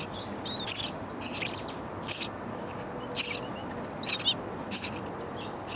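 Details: Baby sparrows in a bird house nest chirping loudly for food while their parents bring insects; short, very high, harsh chirp bursts repeat roughly every half second to second, seven or eight in all, over a faint low background hiss.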